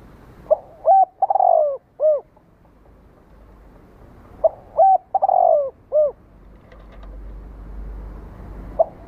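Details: Cooing of a spotted dove, used to provoke captive birds to respond: two phrases of short rising notes, a drawn-out coo and a dropping final note, with low background noise between and a final note starting.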